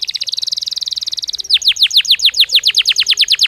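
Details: Belgian canary song played to stimulate a canary to sing: a fast, dense high trill, then a slower run of sharp descending sweeps repeated about six times a second.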